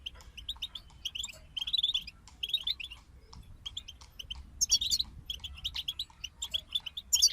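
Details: A group of European goldfinches singing together, used to motivate songbirds: rapid twittering, tinkling high notes in quick bursts, with brighter trills and buzzy phrases near the end over faint low background hum.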